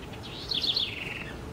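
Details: House wren from Brazil singing one short phrase of bright, warbled notes that rise and then slide gently downward, over a low steady background rumble.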